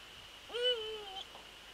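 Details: Eurasian eagle-owl calling during an evening nest visit on 27 December 2013: one loud, rich, harmonic note lasting about seven tenths of a second, starting abruptly and sliding slowly downward, with a steady high whine behind it.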